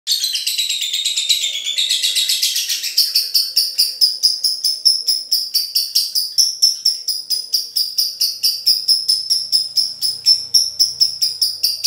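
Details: Male lovebird in full voice, courting a female: a long run of rapid, shrill, high-pitched chattering notes repeated about twice per second, harsh and buzzy at first, then settling into an even, ticking series of sharp chirps.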